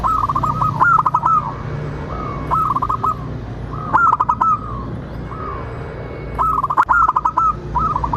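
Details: A local zebra dove sings in a lure recording meant to provoke answering song: repeated short bursts of quick mellow coos, roughly every two seconds, each with crisp broadband clicks and a steady low hum behind.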